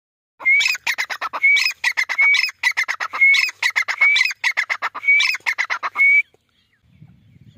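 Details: Grey francolin calling loudly: a rapid series of harsh, clipped notes broken by rising whistled phrases, the pattern repeated about seven times over six seconds, ending in quiet with faint low rumbling.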